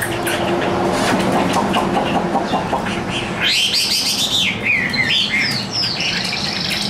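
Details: Tame caged Chinese hwamei, young and newly acquired, carried by hand; a few seconds of broad rushing noise give way to loud, slurred whistled phrases and quick twitters.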